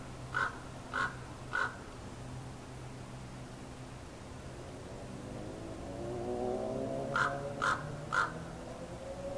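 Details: A common raven in Palm Springs, California, in conversation with another raven, gives two bursts of three hoarse croaks about half a second apart; a vehicle rumbles past between the bursts.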